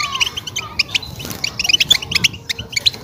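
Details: European goldfinch mating song to stimulate a female ready to breed; short burst of rapid, sharp tinkling chirps and twitters.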